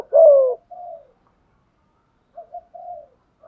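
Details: Spotted dove coo meant to stir decoy birds: one loud, slightly falling coo, then softer low notes and a quiet, broken three-part coo later, otherwise silence.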